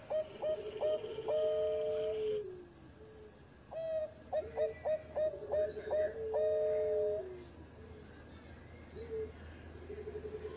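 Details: Zebra dove, Bangkok type, in full song for training other doves: bursts of short staccato coos leading into a sustained lower coo that slides down, phrases repeated against steady background hiss.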